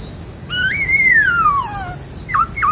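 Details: White-cheeked laughingthrush singing its 'bắt cô trói cột' style song: a long clear whistle rising slightly then sliding steadily down, followed by two short downslurred notes, over a quiet low background hum.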